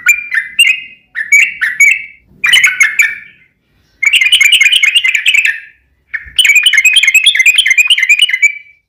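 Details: Sooty-headed bulbul, a lively singing bird, its song used as a lure to get other bulbuls singing in reply: short bubbly whistled phrases around mid pitch in bursts, then long rapid chattering runs of repeated notes, with brief pauses between.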